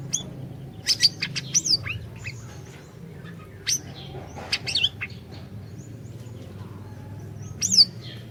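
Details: Orange-bellied leafbird song meant to lure a silent bird into singing: clusters of quick, high chips and slurred whistles, a quiet gap in the middle, then a loud, bright burst near the close.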